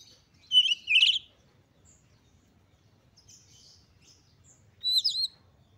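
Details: Oriental magpie-robin, stated to be an excited female in breeding condition whose voice provokes others to sing: a loud tumbling cluster of high chirps, a long near-silent gap with faint notes, then another bright burst of chirps.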